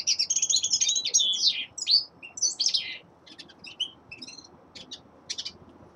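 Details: Singing young male common linnet in winter: a loud run of twittering and slurred notes for two seconds, then sparser clicks and short chirps spaced out.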